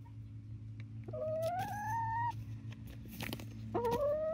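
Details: Young flock of Barred Rock and Gold Star chickens, 19 weeks old, in Grimes County, Texas: a long, gradually rising plaintive whistle, a pause, then another rising note, over a steady low hum.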